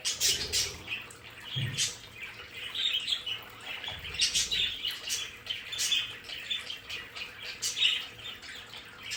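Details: Pet budgerigars, several birds kept in a decorated indoor play area, chatter continuously in high, scratchy warbles and quick chirps, with brief louder squeaky bursts and faint low knocks early on.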